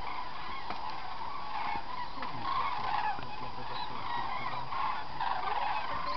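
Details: Cranes gathered at the Halastó fish ponds in Hungary's Hortobágy Puszta on 9 October 2008. A flock gives a dense, overlapping chorus of mid-pitched trumpeting, honking calls over a steady low rumble of background noise.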